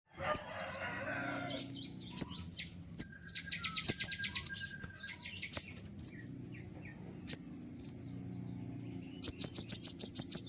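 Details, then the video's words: Kolibri ninja sunbird in loud, busy song used as a tutor and lure to rouse other birds: sharp high chirps, down-slurred whistles and very high ticks in scattered bursts, ending in a fast run of about eight rapid repeated notes. "suara ribut kolibri ninja gacor nembak full durasi"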